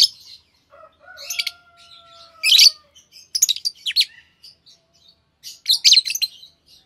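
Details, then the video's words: Green Fischer's lovebird pair chirping in harsh high bursts and short chattering runs, with a faint steady whistled tone early on. "Lovebird Singing & Chirping Sounds - Green Fischer Pair"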